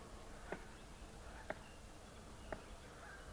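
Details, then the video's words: Palm cockatoo drumming, part of the species' courtship ritual to attract a mate: three sharp, hollow knocks about one second apart over a low, steady background hum. "Palm Cockatoo Beat Drum Like Ringo Star"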